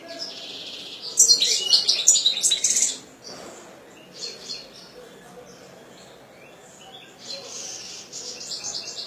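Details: Captive European goldfinch producing a loud burst of bright metallic twittering, followed by softer scattered chirps and a final quieter twittering phrase.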